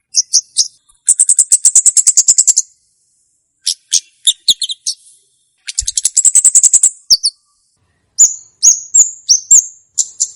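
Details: Olive-backed tailorbird song used for luring and for tutoring young birds: bursts of very high, sharp, rapid trills and repeated ticking notes, broken by short pauses, ending with clipped, downslurred whistles.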